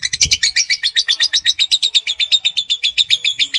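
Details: Juvenile lovebird in a long ngekek trill, a steady, rapid chatter of sharp high notes repeated nearly four times a second without a break.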